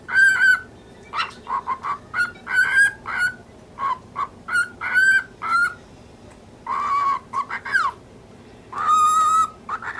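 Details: Lutino cockatiel, ten months old, talking angrily at a budgie that keeps chasing it through the cage, inserting throat-clearing coughs; repeated harmonic, speech-like phrases come in short bursts, some rising, with brief pauses between them.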